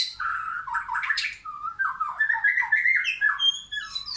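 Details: White-rumped shama in a backyard forest with wild and caged birds; loud, rough squawky phrases mixed with fast whistled and warbled notes, continuous and varied.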